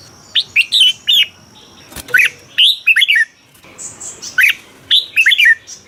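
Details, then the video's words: Red-whiskered bulbul from Thailand singing the 'bearn' style used to excite caged birds: lively phrases of rising and falling whistles, about three phrases, with a sharp click midway and a thin steady tone early on. "เสียงนกกรงหัวจุก สำหรับต่อ หรือ เปิดให้นกคึก เสียงเพราะๆ"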